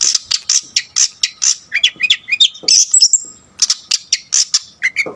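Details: Long-tailed shrike in full song, meant to provoke other shrikes: rapid sharp high chips and squeaky notes in quick bursts, mixed with rising whistled trills.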